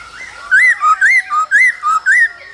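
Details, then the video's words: Caged male laughingthrush singing and dancing in the cold season, alongside female calls used to stir up newly caught birds: clear whistled phrases swooping up and down, about five rising-falling notes in quick succession. "Khướu trống hót múa kèm tiếng mái ro kích bổi mùa lạnh"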